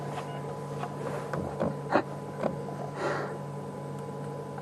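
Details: A steady vehicle engine hum with a few faint knocks and rustles, and no animal voice.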